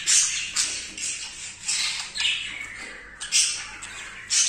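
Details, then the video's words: Male budgerigar, very excited, courting and mating with a female for the first time: harsh, buzzy high chattering in repeated bursts, with scratchy squawks and rustling between them. "تزاوج عصافير الحب | البادجي | ذكر هائج | جدا لاول مرة يتزاوج"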